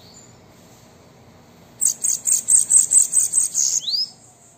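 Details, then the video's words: Bananaquit singing, offered as a prompt for a caged bird: after a quiet start, a two-second burst of about ten pulsed, high, wheezy notes ending in a quick upward slur. "Sibite canto para estimular seu Sibite a cantar"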